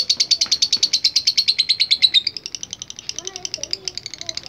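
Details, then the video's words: Lovebird's extended ngekek chatter, used as a training recording: loud, rapid high pulses that soften and thin out after two seconds, continuing as a quieter rattling trill with faint lower background sounds. "MASTERAN LOVE BIRD GACOR NGEKEK PANJANG"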